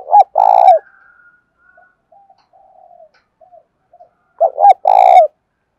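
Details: A spotted dove's luring coo, urging and calling style: a loud phrase of two short coos and a long rolled note opens and another closes the stretch, soft low cooing between them.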